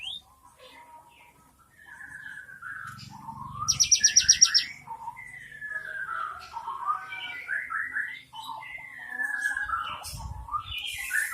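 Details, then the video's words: Cinereous tit recorded 3 April 2023 singing in 'isian mewah' filled style: soft scattered chirps build to a fast high buzzy trill, then a long varied series of slurred whistles, twitters and downward-sliding notes. "BURUNG GELATIK BATU ISIAN MEWAH"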